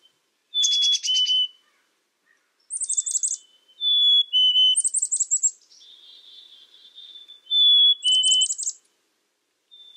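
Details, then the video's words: Black-capped chickadee giving clear high whistled notes mixed with bursts of buzzy, scratchy notes, repeated every couple of seconds in a quiet setting. "Black Capped Chickadee Bird Sound, Bird Song, Bird Call, Bird Calling Chirps"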